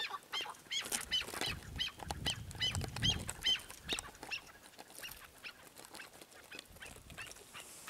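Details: Chukar partridges (Alectoris chukar) give harsh, clucking chuck notes, about two or three a second, loudest in the first half, then fading into softer scattered calls.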